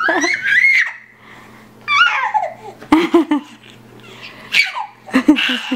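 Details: Pet parrot showing off a newly discovered sound it loves: bright rising and falling whistles, chuckling laugh-like bursts and babbling chatter over a steady low hum indoors.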